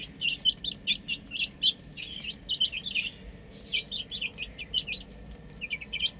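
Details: Baby hens playing on a roof, producing shrill, short peeps in rhythmic groups of two or three, steady over a quiet low background.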